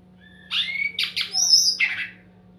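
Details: Sumatran laughingthrush lure song, used to provoke birds that stay silent into answering: a burst of harsh, squawky whistled notes lasting under two seconds, with a sharp chattering middle and a rough falling end; steady low hum beneath.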